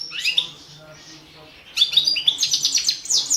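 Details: Goldfinch, subspecies balcanica, singing for the 2017 internet World Championship in Goldfinch Song: a short twittering burst, a quiet gap, then a lively run of sharp chirps and quick high trills.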